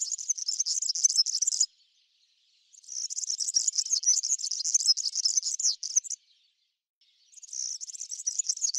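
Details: European serin in a backyard where it feeds on Brassica oleracea seeds; three bursts of rapid, high, glassy jangling song, each lasting one to three seconds, separated by short silences.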